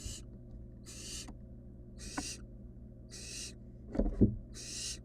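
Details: Barn owl nestling beside a rabbit, giving five harsh, breathy hisses, each about half a second long and repeated roughly every second, over a steady low hum with a couple of soft thumps near the end.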